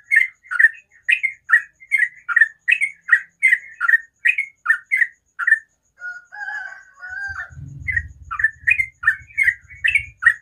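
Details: Sooty-headed bulbul's rapid morning ropel song of short, repeated chirps, broken midway by a different drawn-out, wavering call and a low rumbling noise, then the quick chirping resumes over the rumble.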